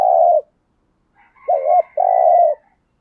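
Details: Spotted dove used as a lure for wild doves, giving husky low coos: the tail of one coo, a pause, then a short wavering note and a longer rough, steady coo.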